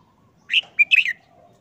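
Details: A caged red-whiskered bulbul, subdued after more than a month of moulting, gives an easy, simple phrase: a slurred whistle, a quick bright note, then a descending bubbly flourish. Faint lower tones trail off afterwards.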